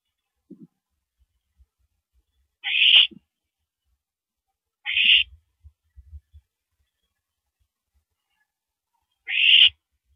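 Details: Owl during a nighttime mouse delivery, April 13, 2012, 9:17 PM: three short, harsh hissing screeches at irregular intervals of two to four seconds, with soft thumps and scraping in between.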